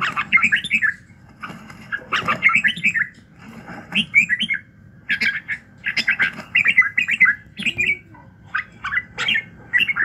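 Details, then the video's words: Red-whiskered bulbul in morning song, used as voice training to stir other birds; bright, bubbling whistled phrases about a second long, repeated every one to two seconds, with a faint low hum behind. "luyện giọng Chào mào buổi sáng kích lửa hiệu quả"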